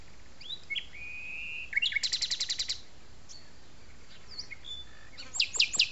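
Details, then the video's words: A common nightingale sings over the Arboretum de La Petite Loiterie, France: a clear, drawn-out whistle, then a fast series of about ten hard, repeated notes, followed by scattered chirps and a rattling phrase. "au chant du rossignol"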